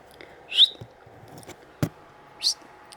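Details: A pet budgerigar, found hiding in a small hole in a box on a DVD shelf, gives two short, bright, slightly rising peeps about two seconds apart, with a soft click between them and quiet room noise.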